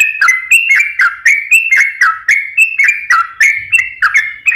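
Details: Sooty-headed bulbul song serving as a lure to make birds sing: clear rhythmic liquid whistles, each starting with a sharp click and sliding down then up, repeated about every third of a second.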